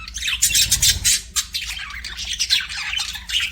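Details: Budgerigars chirping: a dense, continuous chatter of rapid scratchy warbles and high squeaky notes, several birds overlapping, with a short low thump near the start.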